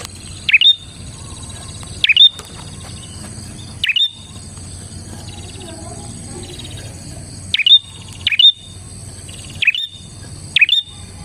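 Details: Bar-winged prinia, a recording for luring prinias: swooping chirp phrases with a high whistled flick, in singles and pairs with long gaps of up to three seconds, over a steady faint hiss.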